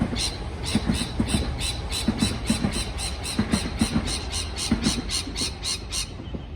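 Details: Chirping parrot uttering a rapid, dense series of harsh squawks, many per second in a steady stream, over noisy low-frequency background with faint lower tones.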